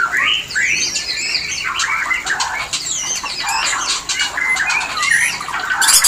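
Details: White-rumped shama mating call, played as a lure to bring shamas into breeding condition: rapid varied whistles and squawky chattering notes, densely packed with short trills and sliding phrases.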